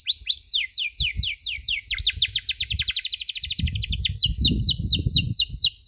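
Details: Canary in a tutor recording meant for young birds learning the 'cuit cuit' chirp: a fast, steady run of high downward-sweeping chirps, then slightly slower, brighter sweeps, with a faint low rumble underneath.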